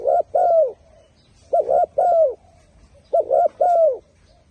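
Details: Turtle dove cooing, a strong clear voice: paired low hoarse coos with a longer descending note, each phrase of three notes repeated about every one and a half seconds, three phrases in quiet surroundings.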